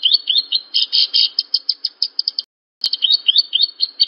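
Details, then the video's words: A Horsfield's bush lark sings a fast string of bright, high chirps at an even pace. The run pauses briefly, then resumes with similar twittering notes. The recording serves as training material for larks. "Masteran Burung Branjangan"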